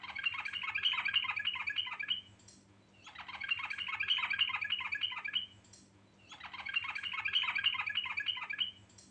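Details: Sooty-headed bulbul pouring out vigorous rolling song full of varied phrases: three loud bursts of fast, rattling chatter, each about two seconds long, separated by short pauses, with low hum underneath.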